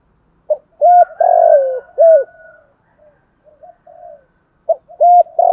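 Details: Decoy spotted dove cooing in the morning to call in a flock: a deep, throaty phrase of clipped notes and a drawn-out purring coo, then softer trailing notes and a new phrase beginning near the end.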